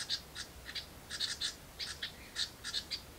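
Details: Baby house wrens in a birdbox begging each time a parent brings food: loud, harsh, raspy double and triple chirps repeated rapidly, several per second, high-pitched and scratchy.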